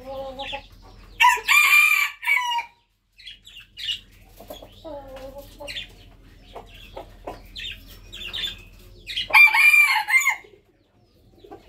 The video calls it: Jungle fowl rooster crowing